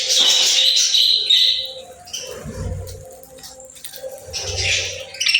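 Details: Playful birds chirping: dense, bright twittering warbles with high whistled notes in the first two seconds, a quieter stretch, then another burst of busy chatter near the end, over a faint low hum.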